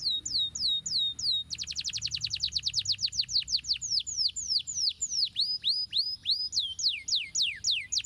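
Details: Canary song played to spur lazy canaries to sing: a few slow swooping whistles, then a fast rattling trill of clipped falling notes that loosens into spaced, deeply curved slurs with high overtones.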